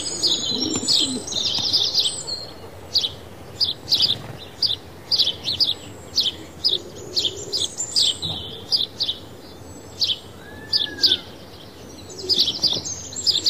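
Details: Sparrows bathing, alternating between water and dust; bright, high chirps repeated in quick bursts roughly every half second, with brief wing flutters in between.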